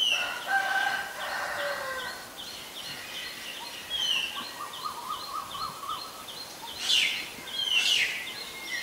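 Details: Black-collared starling recorded on 17 April 2022 in Ubon Ratchathani, Thailand: harsh, layered chatter opening the recording and returning as two loud rasping bursts near the end, with steady rapid high chirps in the background.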